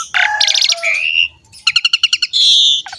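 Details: Asian pied starling song meant to prompt young birds to sing: a burst of chattering notes, a rising whistled slur, then a rapid row of clipped metallic notes and a long buzzy phrase, over a faint low rumble.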